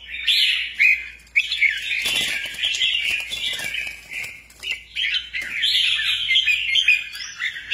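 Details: Albino sooty-headed bulbul, the rare kutilang jambul, singing loud and busy: a continuous jumble of chattering, bubbly high notes with short breaks, sustained for several seconds.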